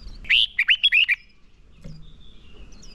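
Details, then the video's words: Decoy red-whiskered bulbul singing a fighting song to stir rival birds into singing; one brisk phrase of about six clear, slurred whistles, followed by quiet with a thin distant whistle. "Chào mào mồi hót đấu gọi bổi căng lửa, luyện chào mào sổ giọng hót đấu căng"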